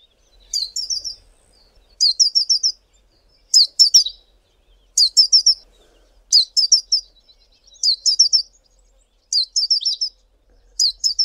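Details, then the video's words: Male Collared Sunbird calling: short high thin bursts of three to five sharp chipping notes, each burst sweeping down slightly, repeated about every one and a half seconds against a quiet background. "COLLARED SUNBIRD male calling"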